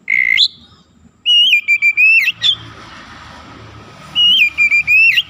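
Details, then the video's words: Oriental magpie-robin singing prolifically, played as a trigger to stir up other magpie-robins: a brief upslurred whistle, then two bursts of pure ringing whistled phrases made of a steady tone and clipped notes, separated by a quiet hiss. "PANCINGAN TERCEPAT MENAIKAN EMOSI KACER GACOR DENGAN CEPAT"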